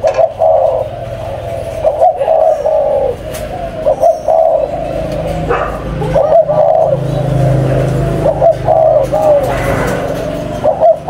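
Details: Low cooing phrases from a captive spotted dove breeding pair, coming in short bursts about every second or two, separated by quieter gaps, with a low rumbling hum underneath.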